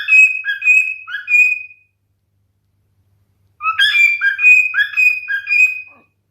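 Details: Singing male cockatiel gives two phrases of bright whistles and chirpy slurred notes, with a quiet gap of nearly two seconds between them.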